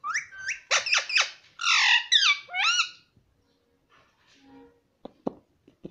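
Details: A pet parrot talking, the word given as "mummy": a fast string of harsh, nasal syllables with swooping pitch over three seconds, then near silence broken by faint tones and a few sharp clicks.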